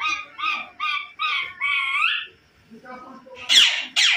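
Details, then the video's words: Parrot kept as a talking bird, said to copy cat and dog sounds, utters five nasal, wavering notes, the last drawn out and rising, then quiet mumbling and two loud, sharp squawks. "बोलने वाला तोता #बिल्ली की म्याउ और #कुत्ते जैसा भोकता है"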